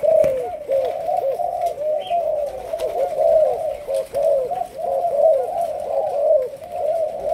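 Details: In training as a decoy, a young Malaysian spotted dove coos steadily: a dense, unbroken sequence of low, mellow, bouncing notes at an even pitch.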